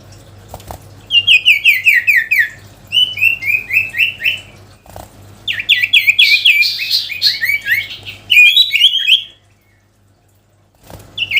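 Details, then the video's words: Sooty-headed bulbul's rival-calling song: long runs of quick, chattering, downward-slurred notes in several phrases, then a pause and a brief resumption. "SIRTU GACOR MEMANGGIL LAWAN‼️ Suara Asli Alam Durasi Panjang"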